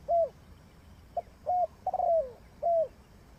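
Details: Decoy spotted dove used in trapping gives a run of low mellow coos. Short hooked notes and one longer trilled coo drop in pitch at its tail, with gaps of about half a second to a second.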